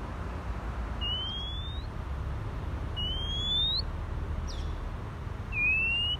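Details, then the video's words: An Oriental magpie-robin gives three clear, rising whistles, each under a second long and about two seconds apart, over a steady low rumble. "Chòe Than Hót"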